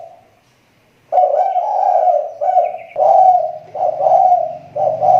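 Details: Spotted dove kept as a lure bird in the Riau Islands, its voice recovering after a recent drop: after a second of quiet, low hollow coos run in rolling bursts separated by short gaps, with a faint hum underneath.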